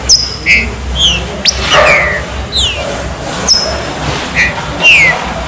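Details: Green-winged saltator singing the chuva serrinha warm-up song: clear descending whistled notes about every half second, with occasional short sharp clicks and a steady low background hum.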